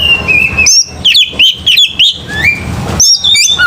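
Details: Oriental magpie-robin singing an aggressive fighting song: loud, rapid bursts of clear whistled notes, some sliding up and down, alternating with short sharp chirps, with brief pauses between phrases.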